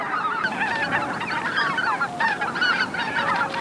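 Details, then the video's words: Greater white-fronted geese flying in to roost at Miyajima-numa, Bibai, Hokkaido, Japan, 2016, filmed with a JVC LS300. Dense, overlapping nasal honks and yelping calls from a large flock. Short separate notes stand out above a constant chattering wash. "宮島沼のマガン ねぐら入り - 美唄市 2016 White-Fronted Geese in Miyajima-numa"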